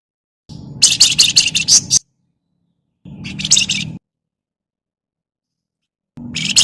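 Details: Rapid raspy chattering from a Javan myna, a 'crecetan' recording played as a lure to prompt other birds to sing; a fast string of buzzy notes, a pause, a shorter burst, then another begins, over a low hum.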